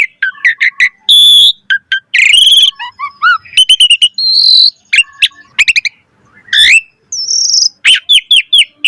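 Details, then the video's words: Varied Asian pied starling song used to stimulate and train other starlings: rapid mixed whistles, squeaks and sliding notes, brief harsh chatters and buzzes, with short pauses between bursts. "Pancingan Jalak Suren Gacor Full Variasi Untuk Masteran Suara Burung Jalak Agar Gacor Full Isian"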